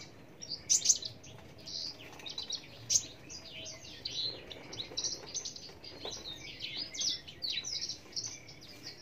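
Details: Australasian bushlark singing a long, continuous stream of high, scratchy chirps and twitters, varied and unbroken, with a few louder sharp notes near the start and faint background noise.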